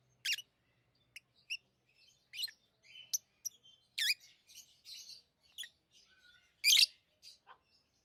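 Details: Tame lovebirds chirping and chattering: loud shrill screeches mixed with rapid twittering, buzzy notes and short whistles at an uneven pace, with a faint low hum at the start.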